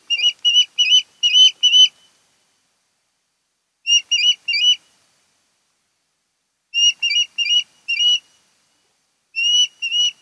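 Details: Osprey at a Kent Island, Maryland nest used yearly by a mated pair, nest camera, 10 August 2018, 02:30–03:30; clipped whistled chirps in bursts of three to five, separated by pauses of about two seconds.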